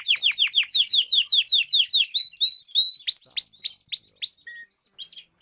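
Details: Canary song for training young canaries: a steady run of loud downslurred whistled notes, about five per second, followed by clear rising whistles and a few soft chirps.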